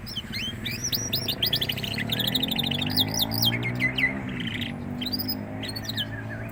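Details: Young canary starting to sing steadily: rapid high whistled trills and rising sweeps, notes repeated in quick runs, over a loud low droning hum throughout.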